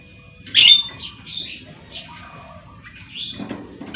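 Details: Female lovebird calling, used as a lure call to make other lovebirds answer with long trills; sharp high squawks and chirps in short bursts, one loud screech near the start followed by softer scattered notes.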